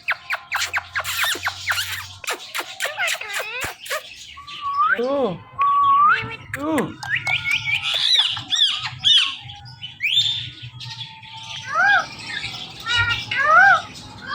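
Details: Pet Indian ringneck parakeets, described as talking and saying "Mittu", give a mix of harsh squawks, sharp downward-sweeping harmonic calls and rising whistled notes. Some are in rapid bursts and some are spaced, over a low steady hum.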